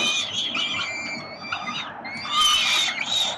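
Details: A father peregrine falcon feeds his hungry chicks in Melbourne, Australia, 30 October 2021, and the young give high, thin, wavering begging squeals that grow louder and shriller toward the end.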